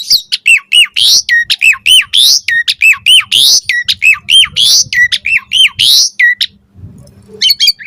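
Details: Asian pied starling singing to provoke other starlings into answering: a fast string of hooked squeaky whistles and harsh squawks repeated nearly without pause for six seconds, then a short lull.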